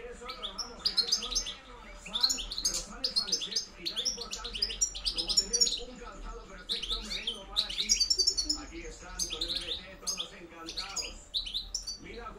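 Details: Goldfinch (European) reclamo in the campero manner, 2013-2014: a long, almost unbroken run of rapid, liquid, high-pitched twitters and trills with sharp tinkling notes, a faint low hum behind.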